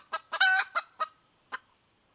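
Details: Wild junglefowl hen calling in 2021: a few clucks around one loud, harsh, extended cackle note, then a final isolated cluck.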